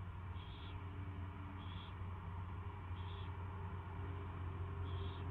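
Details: Owl recorded on February 24, 2016 at 2:15 PM during its first feeding; brief raspy, hiss-like calls come about once per second over a steady low hum.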